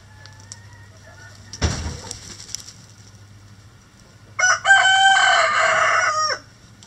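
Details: Rooster in a backyard coop crowing once: a loud, harsh, drawn-out cock-a-doodle-doo lasting about two seconds, after a brief noisy thump and faint clucks, over a steady low hum.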